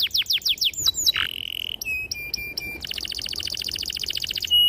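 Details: Canary delivering a clear, sharp song meant to get young birds singing: falling whistled strokes, a short level tone, spaced metallic chips, then a fast even trill ending in a bright whistle.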